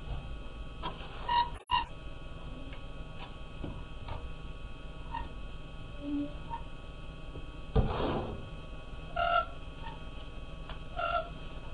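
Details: Siberian cranes (Leucogeranus leucogeranus) at night in the Oka Biosphere Reserve give a few high, fluty, clear calls in short bursts several seconds apart, over a low rumbling background with one sharp click.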